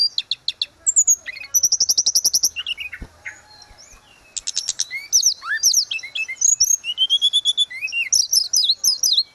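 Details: Grey-cheeked bulbul, locally tledekan gunung, in vigorous song for training caged birds: quick rattling series of repeated high pips, a brief hush, then a rich jumble of slurred whistles and chirps.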